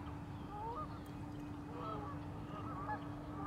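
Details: Honking geese at Warner Park Lagoon, Madison, Wisconsin: clusters of short, rising honks from multiple birds, with a steady mechanical hum underneath.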